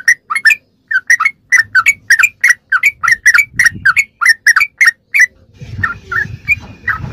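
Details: Sooty-headed bulbul in rapid 'ropelan' song, recorded as training material for captive songbirds: bubbly, liquid whistled notes in quick bursts, often two-part with an upward flick, about one and a half per second; the song fades out near the end as low rumbling background noise rises.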